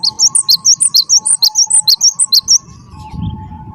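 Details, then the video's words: Cinereous tit (gelatik batu, wingko type) in loud, energetic song meant to coax other birds: a steady series of about sixteen crisp whistles alternating high and lower pitch, over a faint constant hum. "gelatik batu wingko gacor"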